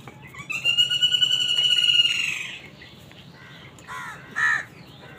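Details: Crow fighting wild birds for food. A long, drawn-out, buzzy note with strong ringing overtones holds steady for about two seconds. After a pause, two short harsh caws follow over a faint background hiss.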